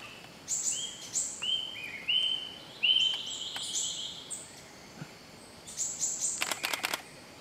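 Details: A female Great Hanging Parrot (Loriculus stigmatus), Tambun Conservation Area, Sulawesi, Indonesia, 9 Aug 2014, gives thin, high, squeaky, slightly rising notes in loose bursts, with a few dry clicks and faint background hiss.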